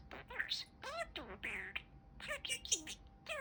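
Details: Talking pet male budgie producing quick mimicked word-like phrases, warbly and nasal, with looping pitch glides and a few sharp high chirps.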